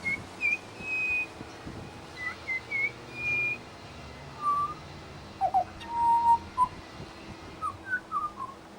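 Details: Pied butcherbird at a bird sanctuary giving mimicked song: a string of pure steady whistles, first high then lower, in short evenly spaced phrases.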